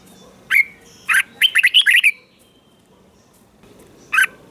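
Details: Caged-bird training recording of a red-whiskered bulbul from Thailand, meant to stimulate other bulbuls; a single bright chirp, another, then a rapid burst of warbled notes, a pause, and one more sharp note.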